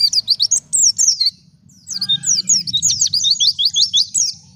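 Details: Wild white-eye song used as a lure to make other birds sing: rapid high, twittering whistled notes in a dense run, a short pause near the middle, then a renewed burst of quick swooping chirps, faint low hum beneath.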